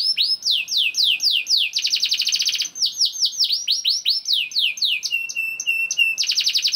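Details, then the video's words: ['Young canary (kenari paud) singing as a lure to prompt other canaries to sing: rapid series of high descending swept notes, a fast buzzy roll near two seconds, then steady whistled notes and a closing trill.'] "KENARI GACOR DOR NGEDUR NGOTOT CUIT CUIT NGEROL AMPUH PANCINGAN KENARI PAUD"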